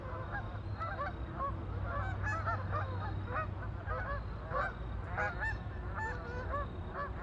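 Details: Ducks on a lake, a dense flock calling together: many overlapping nasal, honking calls with curved, harmonic notes crowd the whole stretch, over a steady low rumble.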